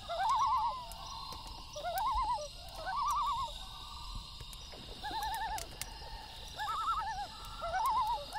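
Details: A loon at night gives loud, clear tremolo calls, rapid laughing warbles in bursts about a second apart, some answered by fainter calls, while a campfire crackles.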